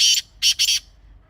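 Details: Grey francolin call: three loud, raspy, grating bursts in quick succession, the last two nearly joined, over a calm background.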